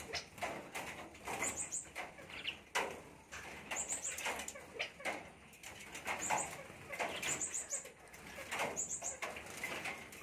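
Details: Grown-up common myna, India, giving harsh, scratchy chatter with short bursts of high, clicking chirps every couple of seconds, mixed with rustling and flapping sounds.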